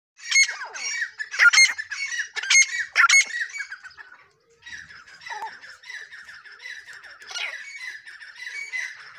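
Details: Female grey francolin calling: loud harsh squawking notes with buzzy overtones in bursts during the first four seconds, a short pause, then a softer, continuous run of scratchy chattering calls.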